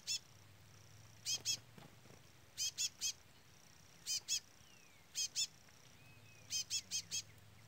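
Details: Young chestnut-bellied seed finch chick calling constantly beside an adult brown male, outdoors as rain picks up: sharp, high, clipped notes in quick clusters of two to four, repeated every second or so over a faint low hum.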